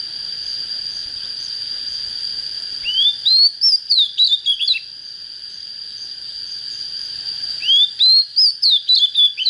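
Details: Two phrases from an oriental magpie-robin just coming into form, each an ascending whistle breaking into rapid, jerky, descending notes. A steady high-pitched whine is heard throughout.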